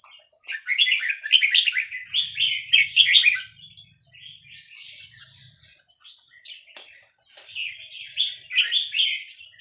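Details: Young wild Vietnamese-type red-whiskered bulbul, sound for training chicks: an energetic run of quick warbled, chirpy notes for about three seconds, a quieter pause, then another short twittering phrase; constant thin hiss throughout.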